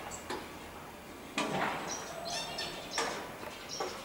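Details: Common starling song recorded on 20 May 2016: short phrases of sharp clicking bursts, a buzzy rattling stretch and thin high whistles. The phrases are separated by brief pauses, with a faint hiss behind them.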